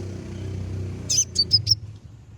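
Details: Konin calling to provoke rivals, a lure sound meant to stir other konin into singing: four quick, very high, sharp chips in a tight run over a low background rumble.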